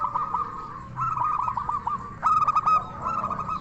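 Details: Local zebra dove in full crystal-voice song, meant to stir other doves into answering: rolling coos break into a loud, quick string of bright staccato notes, then settle back into trilled cooing.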